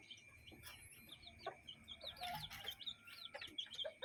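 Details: Hens and chicks in a yard and chicken coop: repeated high, slurred chick peeps in quick series, with occasional low clucks beneath and a constant faint hum.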